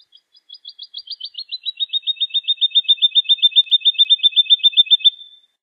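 A woodlark sings a sweet, liquid phrase of about twenty repeated notes, starting high and quiet, then settling lower and swelling louder at a steady quick pace.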